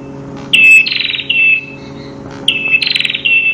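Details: Ashy tailorbird (Orthotomus ruficeps), a "crystal-voiced" master recording for training birds, sings two matching phrases: a clear high whistle, a fast buzzy trill, then another steady whistle, over a faint electrical hum.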